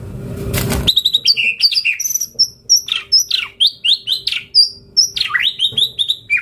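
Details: After a brief burst of noise, a white-rumped shama launches into steady vigorous song full of imitated phrases: quick high whistles, sharp downslurs and chattering notes repeated in rhythmic bursts, used as a lure to make shamas reply.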